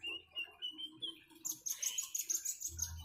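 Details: Common iora near flowing water. Clear whistled notes step upward, then a fast run of high sharp chirps, with light water splashing near the end.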